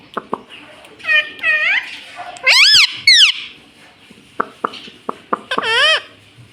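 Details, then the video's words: Pet green ring-necked parrot talking: clear, swooping harmonic phrases, rising then falling, in short bursts separated by sharp clicks and pauses, with a longer arched phrase near the end. "Talking Parrot Mummy"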